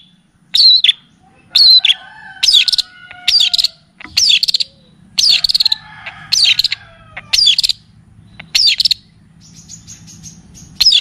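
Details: Long-tailed shrike lure song: loud, scratchy chirps spaced about a second apart, with faint whistled tones in the background and a thin, high buzzing at the end.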